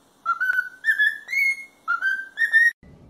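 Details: Whistled cockatiel song for training a pet cockatiel: five smooth, sustained whistled notes stepping gently upward, a pause, then three more, ending in a short noisy sound.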